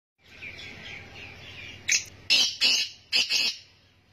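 Black Francolin giving four harsh, grating notes in a quick uneven burst, following a soft, high twittering in the background.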